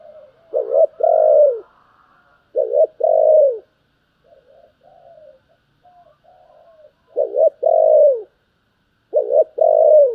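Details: Spotted dove giving 'gáy thúc' and 'gáy gọi' coos: repeated phrases of a short rising note followed by a longer, falling hooted coo. Phrases come in pairs about two seconds apart, with soft murmuring between them.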